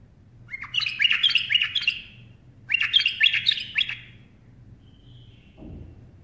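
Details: Bulbul singing while perched on a person's hand: two bursts of rapid, warbled chirpy notes about a second long, separated by a short pause, then a faint thin note and a soft knock; low hum underneath.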